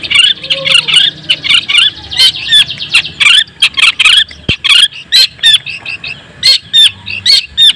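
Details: Long-tailed shrike song meant to provoke other shrikes, a busy run of harsh chattering bursts mixed with short whistled downslurred notes, repeated in quick irregular phrases with a sharp click midway.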